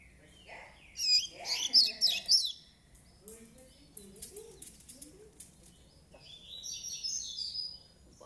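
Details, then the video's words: Nine-month-old Double-collared Seedeater in brownish plumage gives one loud burst of rapid, high twittering song, followed by a person's voice talking and a fainter, thinner warbled phrase near the end. "COLEIRO PARDO DE 9 MESES"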